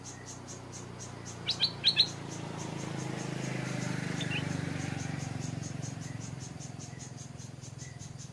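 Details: In Thailand, a Stripe-throated Bulbul caught behind the owner's house and used as a decoy calls often because its mate lives nearby: a quick burst of four bright, chirpy notes over a steady pulsing insect buzz and low hum.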